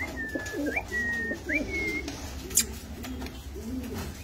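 Fancy pigeons coo in low, throaty, rolling phrases, with a few thin higher whistles above.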